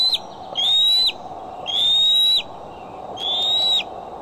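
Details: Bald eagle on the Decorah nest camera, afternoon or evening of July 6, 2011, repeating a drawn-out, level, piercing whistle about half a second long. Three calls come at roughly one-second intervals over faint background hum.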